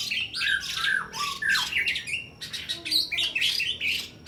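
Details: White-rumped shama singing to press down an opponent in a contest, using sharp borrowed small-bird phrases: jumbled loud whistles, harsh squawky notes and rapid high chips in quick succession.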